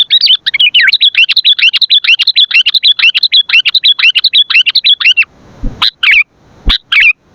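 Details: Vigorous sooty-headed bulbul, for luring and training birds: a rapid, unbroken stream of twittering, wavering notes for about five seconds, then a few separate sharp chips and brief warbles.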